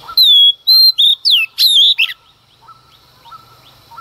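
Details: Female Oriental magpie-robin singing early in the morning to provoke males. A whistled note glides downward, followed by several quick sharp slurred notes over two seconds, then fainter distant chirps.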